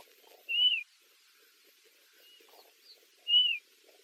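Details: Eastern clapper lark giving thin, high downslurred whistles, two clear notes about three seconds apart with a fainter one between, over soft ticking background sounds.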